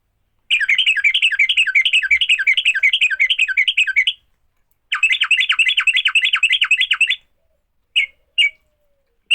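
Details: Sooty-headed bulbul fighting song, used to make other bulbuls start singing: two long bursts of rapid, harsh, repeated chattering notes, roughly ten per second, then a pause and a few short isolated notes at the end.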